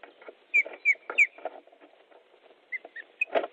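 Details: Osprey at a nest in Estonia, 13 July 2014, fish delivery: three loud downslurred whistles close together, then scattered softer chirps among thuds and rustling.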